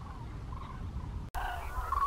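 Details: A flock of about 1,000 common cranes at Trandansen, Sweden, in the evening before full-moon rise gives distant, overlapping trumpeting calls, with a louder burst after a brief break; steady wind rumble underneath.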